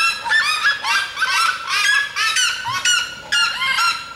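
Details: Red-legged seriema from Mato Grosso singing: loud, rapid series of harsh yelping, honking notes with rich harmonics, repeated in bursts about once a second, several notes sliding upward, carrying strongly over faint background.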